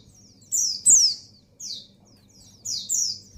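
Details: Breeding female white-eye calling the male, giving sharp high downslurred chirps in quick pairs, then a pause and another pair, over a faint low background hum.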